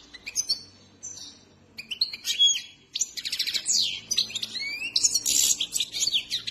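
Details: Trained Himalayan goldfinch (saira) song. It opens with sparse high whistled notes, then builds into dense, jangling twitters and slurred chirps, over a faint low hum.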